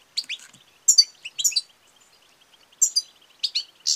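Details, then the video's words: Female European goldfinch call used to rouse males to song and mating; clear loud high chirps and buzzy twitters in short clusters with gaps of silence between, over a thin high background tone. "بتبتة وستستة ونداء أنثى الحسون المميزة في علاج الصمت والخمول"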